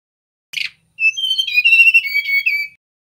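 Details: Whistled song of a male mangrove blue flycatcher. A brief rough opening note is followed after a pause by a flowing string of pure whistles that wavers and gradually falls in pitch. No other sounds are heard.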